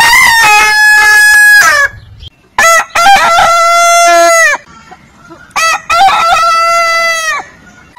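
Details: Long crowing by heritage-breed roosters: three drawn-out, steady, ringing crows, each about two seconds, separated by short quiet gaps, with a faint cluck between them.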